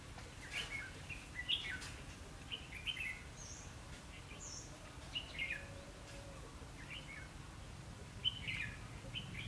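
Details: Red-whiskered bulbul giving fighting song beside a caged decoy bird during trapping on 19 January 2016; short chirpy, slurred phrases come in bursts every second or so, with other similar notes and a steady low rumble behind.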